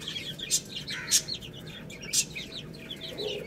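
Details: A group of chicks feeding on rice, chirping in quick high cheeps, with three loud sharp taps of pecking and one short lower note near the end.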